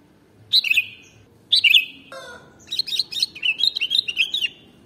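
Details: Lure song of a sooty-headed bulbul (kutilang): two crisp gurgling phrases, a brief low hum between them, then a longer rambling warble of quick linked notes to the end.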